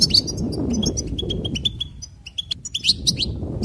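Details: Goldfinch twittering: crisp repeated notes in a lively phrase, trailing off and then resuming with brighter chirps, with low-pitched background noise early on.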